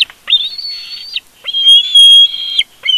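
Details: Family conflict among bald eagles at a Big Bear nest on a live cam: two long, piercing, steady whistled squeals, each about a second, separated by a short pause, clear and close.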